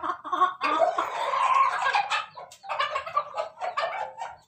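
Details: Pelung chicken, a kept bird, recorded 17 May 2024 giving a laughing-style crow: a loud, harsh, steady opening of about two seconds, then a short gap and a run of choppy, stuttering bursts that fade out.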